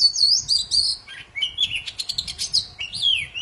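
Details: Poci songbird singing very actively, a recording used to prompt silent birds to sing again: rapid varied high whistles, sweeping slurs and dense chattering trills running almost nonstop, with a faint low rumble underneath.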